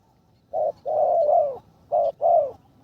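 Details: A spotted dove being trained as a ground decoy, third session, calls in a skilled style: a short coo, then a long drawn coo, a pause, and another short-then-long pair of mellow, low notes.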